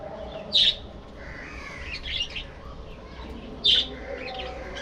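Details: Budgerigars kept as a flock in a breeding colony aviary give two sharp, high chirps about three seconds apart over a steady murmur of soft chatter from the rest of the flock.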